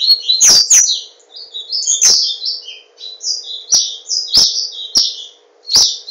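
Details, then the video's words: Capped seedeater, a kept bird from Garanhuns, Pernambuco, Brazil, delivering tornado-style song: rapid high whistled and buzzy notes tumbling up and down, broken by sharp clicks about every second; faint steady hum underneath. "Papa capim Tornado"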